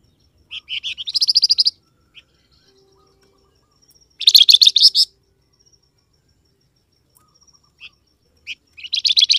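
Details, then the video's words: Flamboyan bird calling to provoke wild birds to answer: three loud, rapid, scratchy chatter bursts, each about a second long, spaced by quiet gaps with a few soft chips. "SUARA BURUNG FLAMBOYAN, DIJAMIN LANGSUNG NYAUT BUNYI"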